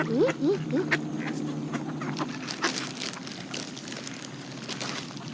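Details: Canada geese with mallards, feeding on seeds: a quick series of three rising honks at the opening, followed by dense scattered clicking and dabbling noises over a low droning background.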